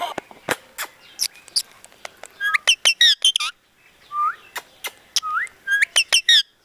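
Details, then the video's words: Talking parrot said to speak Punjabi sentences; bursts of sharp harmonic chirps and clicks alternate with rising whistled glides, loud clusters separated by brief quiet gaps, with faint background hiss. "Talking Parrot"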